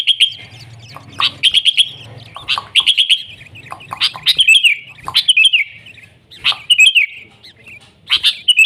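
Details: Sooty-headed bulbul singing in an energetic style: clusters of sharp chirps and short whistled phrases in bursts every second or so, some louder notes standing out, with a low hum in the background.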